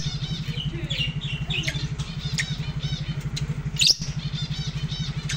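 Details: Curious lovebird giving shrill, harmonic-rich chirps and short squeaky notes in scattered bursts, repeated irregularly, over a steady pulsing engine hum throughout, with a brief sharp click near the end.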